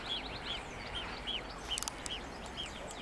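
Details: Greylag goose families with goslings: thin, arched peeping notes repeat about twice a second over a steady background hiss, with a few brief clicks in between.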